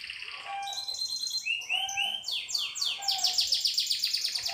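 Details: Singing canary with a long varied phrase: steady whistled tones and short slurred notes, then rapid descending sweeps and a dense, rolling high trill that speeds up toward the end.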